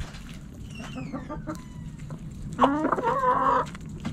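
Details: Backyard chickens, hens and roosters, pecking and scratching; faint thin whistled sweeps early, then a loud burst of stacked, nasal clucks lasting about a second.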